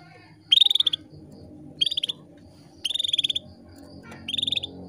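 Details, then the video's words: Female canary calling to males, used to bring males into breeding condition: short rapid trills of buzzy repeated notes, four bursts about a second apart, over a faint low hum and a steady high tone. "KENARI BETINA MEMANGGIL JANTAN"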